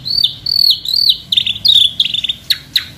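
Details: Caged White-rumped shama in full song, played to provoke and speed up singing: loud, varied whistled phrases sliding down, then sharp rapid chips and clicks in quick succession.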